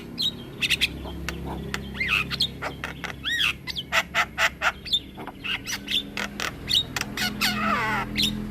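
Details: Black-winged myna in long rolling song, kept as training material for other mynas: varied chips, slurred whistles and a descending rasping phrase over a constant low background hum.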